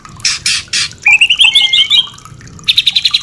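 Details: Song of a white-rumped shama meant to bring kept shamas into breeding mood: two rasping bursts, a quavering whistled trill with a smooth glide beneath it, then a quick string of repeated chips.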